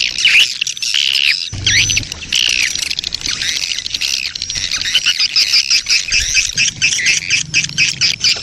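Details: Swiftlet colony lure sound, the breeding-colony ('koloni birahi') type, used to attract swiftlets; dense, overlapping high buzzy chirps and twitters, with a brief gap early on and then continuous chattering.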